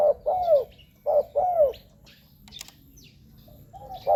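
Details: Spotted dove call used to lure wild doves: two phrases of a brief coo and a longer downward-sliding note, then a quiet gap with faint clicks before a further coo begins.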